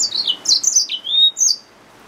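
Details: A yellow-fronted canary mule, a hybrid finch, sings a short sequence of high sliding whistled notes, some falling and one long drawn-out note, against a quiet background.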